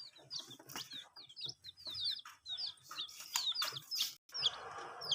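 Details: Chicks on a veranda, drinking water and chirping constantly: rapid high peeps, several birds overlapping, with tapping sounds and a brief noisy rustle near the end.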